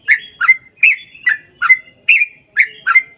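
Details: Sooty-headed bulbul singing energetically in long rapid ropel panjang style, used to coax others to reply. Quick paired bubbly notes, some rising into short whistles, about two to three a second.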